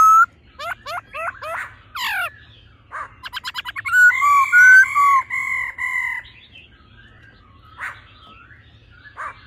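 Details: Female and male laughingthrush together, the male singing in an old wild-forest voice, used to fire up males quickly: rapid downslurred whistles, a burst of quick repeated notes, then long flat ringing tones with slurred accents, and scattered short calls.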